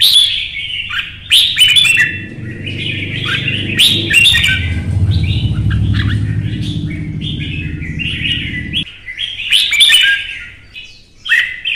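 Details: Competing red-whiskered bulbuls, kept birds in Vietnam, trade lively chirping warbles at a fast pace while a low steady rumbling hum runs underneath for several seconds.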